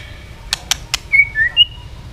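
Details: White-rumped shama, tail flicking and stimulated into fighting song: three sharp clicks, then three clear whistled notes, the first level, the second lower, the last higher.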